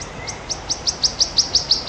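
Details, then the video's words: Wild wood warbler singing: a steady series of about ten short, high, downslurred notes, each one clear and evenly spaced, getting slightly louder toward the end, over faint background hiss. "Burung Kicau Alam Liar Burung Cikrak Daun( Wood Warbler Birds )"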